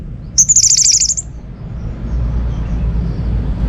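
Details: Orange-headed thrush song used to set silent home birds singing: a single fast, high, buzzy trill lasting under a second, followed by quiet background and one sharp note at the end.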